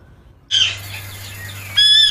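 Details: Parrot giving a loud, sharp burst followed by a clear, high, steady whistle, with a second sustained whistle near the end; a low steady hum runs underneath.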